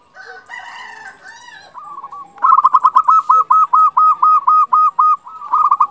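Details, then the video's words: Local zebra dove used as a lure and to raise breeding mood in quiet doves: after a harsher, broad call from another bird, a loud rhythmic string of about twelve arched coos runs steadily, roughly four per second. "Perkutut lokal gacor Naikkan birahi bikin lawan cepat nyaut"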